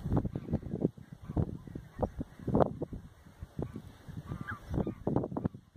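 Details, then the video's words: Wintering lesser white-fronted geese, recorded 9 February 2022 in the Oudeland van Strijen, Hoeksche Waard, Netherlands; short, clipped honks pile on one another in quick bursts, some louder cries standing out over a continuous murmuring flock. "DWERGGANZEN (LESSER WHITE-FRONTED GOOSE)"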